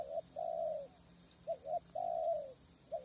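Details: Spotted dove used to lure wild doves to a krajom tent trap in strong wind; long mellow coos alternate with short broken double coos, the pattern repeating clearly with a few faint clicks.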